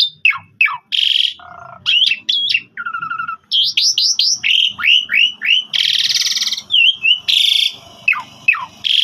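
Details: Loud, varied song of a Javan pied starling, used as a master for other starlings to learn from: sweeping whistles, harsh rasping bursts, steady low tones and quick rising slurs in rapid succession.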